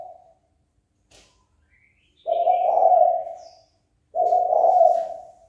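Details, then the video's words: Spotted dove, calling so a rival will come and fight. Two full, low coos about two seconds apart, each swelling and then fading. A brief faint click and a few high chirps come in between. "Cu gáy chơi cực hay kích bổi đấu ngay!"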